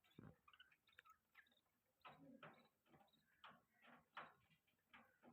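Budgerigars give quiet, scratchy chirps and clicks in uneven bursts, a few notes every second, with soft knocks in the background.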